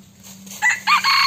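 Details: Decoy breeding rooster, called the flock leader with a fine body and sweet voice, crowing: a brief, loud, harmonic burst that breaks off and then swells into a sustained, ringing note, over a steady low hum.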